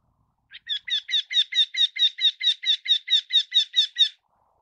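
Eurasian wryneck giving a run of about sixteen ringing, nasal notes, evenly spaced at roughly four per second, with nothing else heard.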